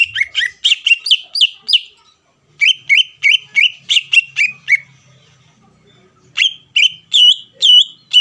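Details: Greater green leafbird singing vigorously to provoke a rival's response: dense bursts of clear falling whistles, a pause, a steady row of repeated bright notes, silence, then loud varied whistles resuming.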